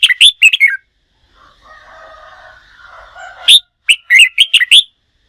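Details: Contest-trained red-whiskered bulbul: quick warbled phrase, a stretch of soft murmuring background sound, then a sharp note followed by a lively run of bubbling whistled syllables.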